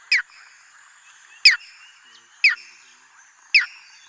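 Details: Striated heron, also known as mangrove heron or green-backed heron: four sharp, harsh, downward-slurred calls about one second apart. A faint, steady high hiss runs underneath.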